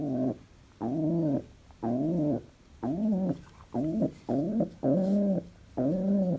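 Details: Cheerful pet pigeon coos repeatedly indoors: about eight low, warm notes. The early ones are longer and the later ones shorter and quicker, with a gentle pitch arch in each.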